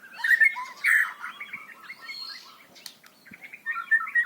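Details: White-rumped shama, loud and varied song intended to teach young birds: strong whistled notes early, then a softer jumble of quick chattered syllables, finishing with a bright fluted phrase.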